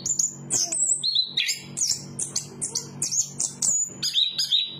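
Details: Bright, high whistled notes from a chestnut-capped thrush, each short and often sliding down, repeated in quick succession with small breaks between phrases. A quiet low hum is audible underneath.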